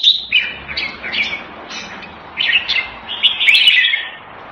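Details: Caged red-whiskered bulbul from a bird hobby farm giving a string of short, liquid warbling notes, rising and falling, spaced irregularly over a few seconds with a faint low hum beneath.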